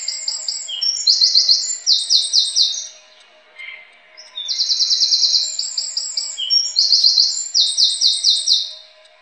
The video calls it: Wren Sound